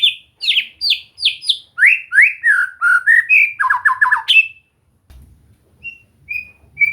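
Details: White-rumped shama in song training: rapid varied whistles and slurred notes sweeping downward, a quick stuttered series, then a few soft distant whistles after a pause.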